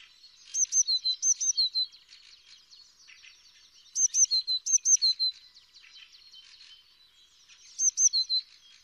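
A green-backed tit sings high, bright phrases of four to six quick two-part notes, each dropping from a sharp top. The phrases repeat every three to four seconds.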